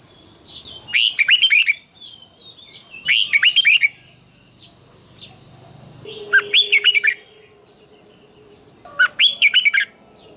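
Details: Red-whiskered bulbul fighting song used for training birds: four short warbled phrases of rapid slurred notes, roughly every two to three seconds, over a constant thin high-pitched hum.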